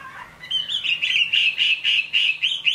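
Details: Chinese hwamei in the rain repeating a clear, bright whistled note about four times a second, evenly spaced and rising slightly in loudness, after a soft opening slur.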